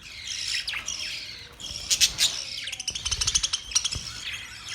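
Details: Budgie flock chirping: high warbles and squawks, then rapid runs of clicking, buzzy chirps.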